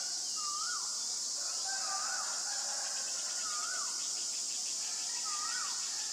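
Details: White-vented myna, Ubon Ratchathani, Thailand, 25 March 2022: four clear, wavering whistled notes that dip then rise, repeated about every one and a half seconds, with a steady high insect whine behind.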